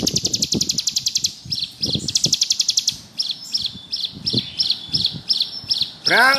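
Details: Bar-winged prinia, singing actively in ngebrem style for use as a tutor: a quick high trill, then a string of separate chirped notes, ending with a loud descending slurred sound; low knocks throughout.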